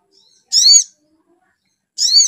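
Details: Lure recording of a spiderhunter meant to stir a bird into full song: a pair of loud, raspy, layered notes roughly one and a half seconds apart, each short and slightly downward-curving, over a silent background.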